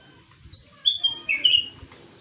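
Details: A sooty-headed bulbul, called kutilang emas, sings a short whistled phrase of a few clear notes, the later ones lower and richer, against a faint low rumble.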